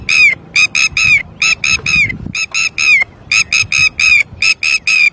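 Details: Red-wattled lapwing calling in alarm after losing its chick: loud, sharp, strident notes with a slightly downward sweep, delivered in quick pairs and triplets separated by short gaps, low rumble of background noise.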